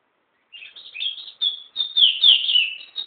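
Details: Home-kept pet bird recorded with a mobile phone, delivering a rapid high-pitched twittering phrase of short chirps that grows louder and then dips downward in pitch.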